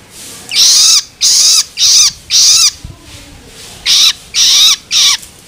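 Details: Juvenile long-tailed shrike giving loloan begging calls, used to stimulate adult birds: harsh, raspy, broadband bursts about half a second long, three in a row, then a pause, then three more.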